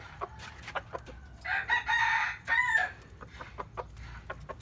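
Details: Morning crow of a chicken: short clucks lead into a loud, ringing crow in two drawn-out parts lasting over a second, then the clucking resumes at an irregular pace.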